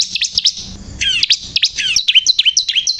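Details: Bar-winged prinia (ciblek kristal) in persistent song, mixing fast thin chips with loud, down-slurred whistled phrases repeated in quick succession, bright and piercing throughout.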